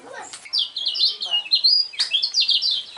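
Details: Dense, loud chattering song from a lemon-bellied white-eye, a champion contest bird: continuous high, buzzy-edged slurred notes running without a break, with a couple of brief clicks.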